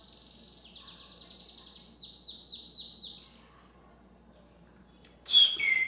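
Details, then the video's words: Pet Belgian canary singing a lot: fast, high trilled phrases of repeated notes, each roller-like series shifting pitch, for about three seconds, then quiet, followed by a loud sliding whistle near the end. "Meu canário belga canta muito"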